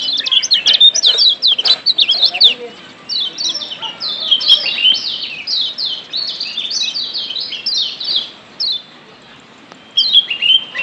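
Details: Wild Lombok yellow white-eyes (kecial kuning), whose calls are used to stimulate kept birds to sing, give a dense chatter of high, quick, slurred chirps, several overlapping almost continuously, with a brief pause near the end.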